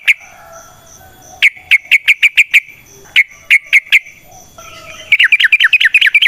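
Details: Lure recording of a sooty-headed bulbul (trucukan): clusters of rapid, clipped chirps on a steady pitch, closing with a faster, warbling run of notes.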